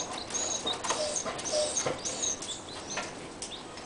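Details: Newly hatched chicks with their mother hen, peeping continuously to make sure she stays near them: high, thin overlapping peeps, some short and some slightly drawn out, coming irregularly over a steady background hiss.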